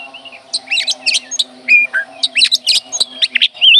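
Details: Oriental magpie-robin giving a dense, rapid run of varied whistles, chirps and sharp rising and falling notes, with short sliding whistles near the end; a steady low hum runs beneath throughout.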